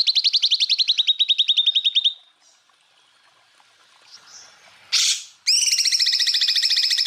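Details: Greater green leafbird in a burst song for training other birds: a fast trill of high notes sliding slightly downward, a pause with faint sounds and a short noisy burst, then a new higher trill on two pitches.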